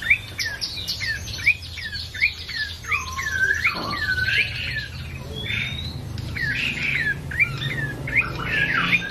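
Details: Ashy tailorbird singing vigorously: a fast series of sharp, hooked chirps repeated in quick succession, with a downward slurred note near the middle and higher buzzy notes toward the end over a low background hum.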